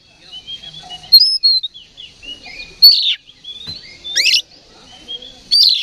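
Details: Aroused oriental magpie-robin, provoked to fight, delivers a rambling song of high thin whistles broken by loud scratchy bursts, sharp clipped notes and a harsh buzzy rattle near the end.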